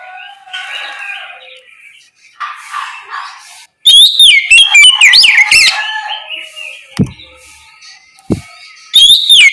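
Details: Oriental magpie-robin in the morning singing in the loud open ngeplong style, a lure to make other birds answer: bright whistled notes sweeping up and down in fast varied bursts, after softer warbling, with sharp clicks.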